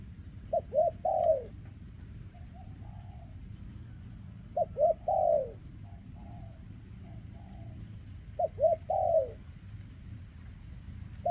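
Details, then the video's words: Spotted dove with a trembling leg, recorded in 2024, singing in the kem ruoc style with a very dense ruoc: short hooked coos, then a long falling coo and softer trailing notes, the phrase repeated about every four seconds over low rumble. "Chú Chim Có Tặt Có Tài , Siêu Phẩm 2024 Kèm Rước Siêu Dầy ( Chim Bị Rẩy Giò )"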